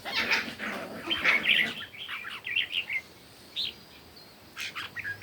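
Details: Morning competition singing by red-whiskered bulbul, with bright chattering warbles for the first three seconds, then a few isolated short whistled notes separated by quiet gaps.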